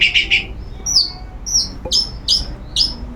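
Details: Long-tailed shrike kept in a cage and sunbathing, singing continuously: three buzzy chattering notes, then a string of high, sharply upslurred whistles spaced about half a second apart.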